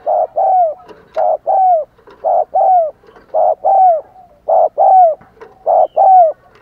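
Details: Caged decoy spotted dove calling to lure wild doves: rhythmic short-long coo pairs, the long note gently falling, repeated roughly every second with brief clicks between.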